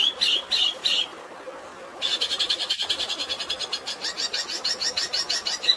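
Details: Long-tailed shrike singing its sparrow-filled fighting song: a few loud chirps, a brief pause, then a fast rattling chatter of rapid high notes near 194 per minute, heard over natural running water.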